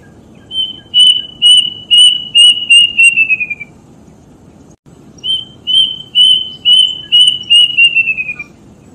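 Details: A Plaintive Cuckoo (Cacomantis merulinus), a bird often found around villages, gives two runs of about eight high, clear, plaintive whistles that quicken and slide downward at the end, over a low background rumble.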